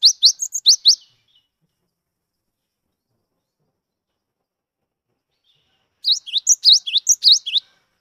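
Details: Wild-tempered cinereous tit, called gelatik batu, used as a singing prompt for other birds; a brief run of high rising chirps, a long silence, then a second burst of quick upslurred notes and whistles.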